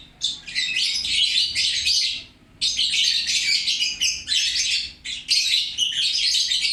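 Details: Busy, loud chatter from a lovebird: raspy, high, rapid twittering in long phrases, with one clear pause near the middle.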